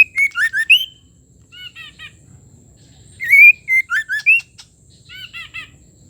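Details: A female white-rumped shama, used to stir male shamas into singing, gives two bursts of rich, clear whistled notes about three seconds apart, with softer chattering note groups between them.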